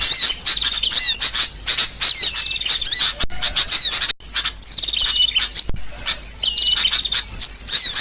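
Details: Noisy lure sound of sooty-headed bulbuls for bird trapping: a nonstop overlapping jumble of high, bright chirps, quick slurred notes and twitters, with only two short gaps in the chatter.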